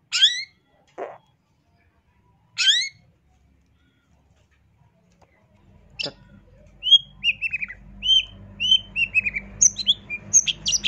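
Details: Long-tailed shrike singing as a master training recording: a few sharp descending sweeps and a low buzzy note with long pauses, then a quick run of short whistled notes and chirps over a faint low hum.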